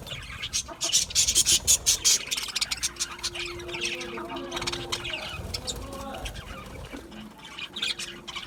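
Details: Budgerigar chirping opens with a string of loud, rhythmic scratchy chirps, then softer mixed chatter over a steady low hum.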